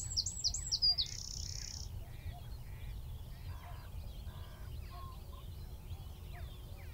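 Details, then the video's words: From a tree at Wicken Fen, roughly 15 m off, a Eurasian wren ends its song in the first two seconds with sharp high notes and a short buzzy trill. Quieter, lower bird calls follow over a soft background hum. "Wren (Troglodytes troglodytes) - singing from tree"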